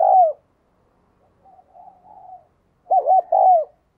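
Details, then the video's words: Decoy spotted dove cooing to attract others: a clipped falling coo, soft muttered notes, then a full loud phrase of three arched coos near the end. "Chim cu gáy - Chim Cu Mồi Thúc và Gáy Gọi Bổi"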